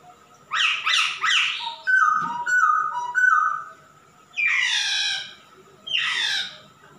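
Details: Male masked laughingthrush in energetic song: three rich buzzy notes, a series of soft level whistles, then two loud harsh downward-sweeping calls about a second and a half apart.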